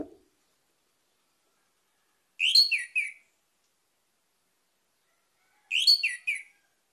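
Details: Lure recording of an orange-headed thrush singing to prompt other birds: two short, bright, warbled whistle phrases about three seconds apart, separated by silence, with a faint low thump at the very start.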